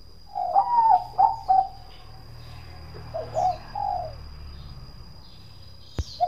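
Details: Bangkok-type zebra dove singing in the prized 'kong' voice style: mellow, rolling coos in a quick triple burst, a pause, then two softer notes, over a steady high electronic whine and a sharp click near the end.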